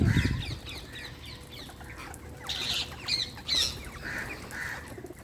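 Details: An Indian wild parrot gives short, harsh, mid-pitched calls in scattered bursts, some with shrill screechy peaks, over a steady low background rumble.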